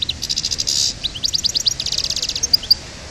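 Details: Goldfinch of the parva subspecies from Souk Ahras, singing aggressively. A fast high twittering runs throughout, with bursts of rapid metallic trills, a short buzzy rattle and sliding tinkling notes, continuous for about three seconds.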